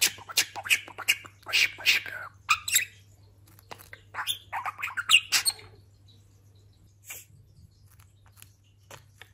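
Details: Newly moulted pet budgerigar known as a talker chatters in quick squeaky, buzzy syllables for about six seconds, then drops to faint scattered ticks and near silence.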